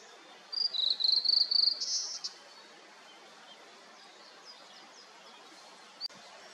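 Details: Brief burst of rapid, high, clear whistled notes from a Blue-and-white flycatcher in foggy mountains after rain, then near silence with faint distant calls and one sharp click.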